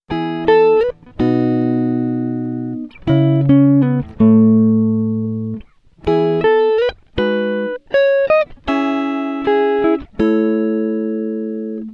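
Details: Plucked guitar music with single notes and ringing chords, and no animal sound heard.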